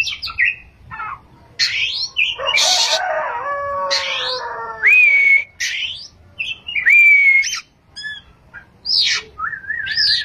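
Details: Oriental magpie-robin singing in the 'ngerol' and 'nembak' styles: sharp high whistles and chirps, a harsh buzzy rasping burst, then long steady whistles and a wavering trill at the end.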